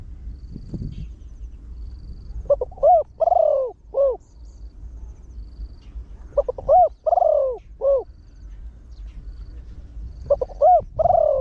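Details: Trained spotted dove with a big voice, used to draw wild birds in, repeating its fast 'khan yon 1 kuk' crow three times about every four seconds: stuttered short coos, a long falling coo and an end note.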